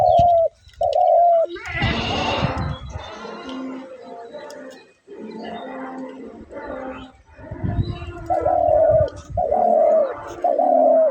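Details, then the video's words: A caged dove gives soft, low "ghughu" cooing notes in short runs at the start and end, while a man talks through the middle; dove. "ঘুঘু পাখির ডাক"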